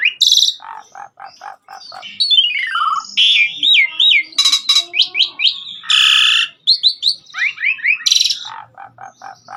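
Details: Asian pied starling in rich, varied song on a track for training cage birds: repeated short notes, descending slurred runs, looping whistles and loud harsh bursts.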